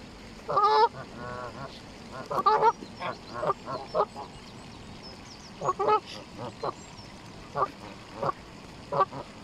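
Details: Canada geese on a lake at Longton Park, Stoke on Trent, on a sunny spring day, 16 April 2022, coming across to feed; repeated short nasal honks in bursts, several birds calling, some rapid chattering notes between.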